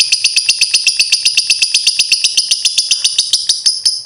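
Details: Lovebird chatter used as a lure to stimulate other birds to sing: dense, rasping, high-pitched notes repeated rapidly, about four each second, in a continuous unbroken run.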